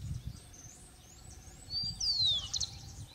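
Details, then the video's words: Rufous-collared sparrow recorded in April 2019 in Colombia, at Chicaque Natural Park and the Bogota botanic garden; faint high thin whistles, then a clearer slurred descending whistle and a short buzzy trill, with low background rumble. "Zonotrichia capensis"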